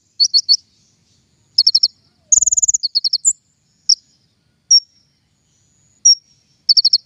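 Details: King konin sound used to lure birds into traps: quick triplets of high chirps, a fast shimmering trill, then scattered single thin whistles and a final chirp cluster.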